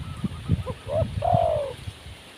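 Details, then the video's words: Wild spotted dove giving short low hoots building into one long, smooth, slightly falling coo, with low rumbling noise underneath. "Burung Tekukur Liar Kurang Mental"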